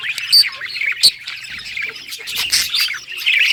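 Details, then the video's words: Budgie singing happily: shrill whistled squeaks and chattering chirps in quick bursts, with two piercing high notes in the first second, then a scratchy warble. "Budgie singing happy | Birds chirping | Parakeet happy life"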